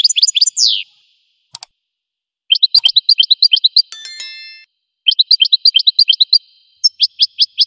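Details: Goldfinch song of quick twittering trills broken by short pauses, with a downward-swept whistle, a brief buzzy, nasal-sounding note, and clear, evenly spaced chirps toward the end.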